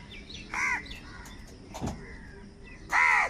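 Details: Crows fighting over food give two harsh, raspy caws, one short and one longer, nearly three seconds apart, with faint background hiss between them.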